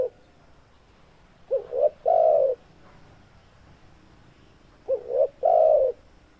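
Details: Low, mellow cooing of a spotted dove, used to provoke other doves of its kind: two phrases of quick paired hoots ending in a longer rounded coo, with quiet pauses between them.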